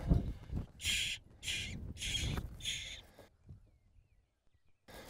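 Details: Young jackdaw from a nest halfway down a house chimney, with a chick thought to be only two or three days old. Four harsh, raspy calls come in quick succession, about half a second apart, over low rumbling wind and handling noise.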